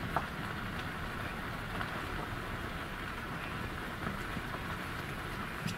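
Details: Steady rain hiss mixed with passing vehicle rumble, a continuous wash of noise with no clear animal calls.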